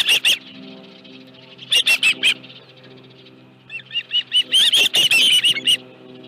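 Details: Shrill, repeated piping of an osprey at the Dunrovin Ranch nest with a live fish, evening of 25 July 2018: short clusters of high chirps, ending in a long excited run of closely spaced whistles.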